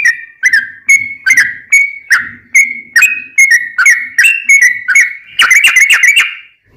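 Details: Sooty-headed bulbul singing loud fighting-style phrases, used to train caged birds. A series of clear whistled notes at a steady pace ends in a quick, tight cluster of chattering notes.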